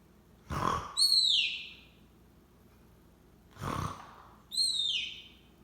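Soft snoring from a monk parakeet: a breathy rasp, then a thin, falling squeaky whistle, repeated about every three seconds in a quiet room.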